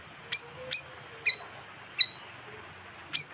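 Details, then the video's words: Bayeman lure call: five sharp, high chirps with quick downward slurs, evenly spaced except for a longer gap before the last, over a faint low whistle. "suara pikat burung bayeman"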